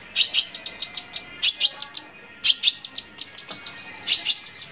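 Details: Long-tailed shrike song played to lure and stir other shrikes into singing: bursts of harsh, scratchy chirps in quick clusters, each cluster lasting about a second, with short pauses between.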